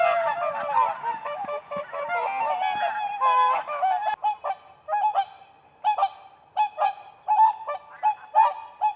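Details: Whooper swans on spring ice, dancing: a crowded blur of trumpeting at first, then thinning into separate sharp honks, often in quick pairs, spaced about half a second to a second apart.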